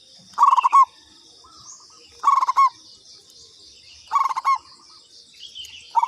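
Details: Local zebra dove, katuranggan type, giving a lure call: quick stuttering coo phrases about every two seconds, each finishing with a longer rolling note, against continuous high insect drone.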